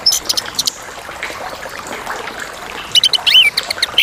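A Chestnut-capped thrush gives a few brief, clear whistled notes, high and slurred, over a steady trickling, watery hiss.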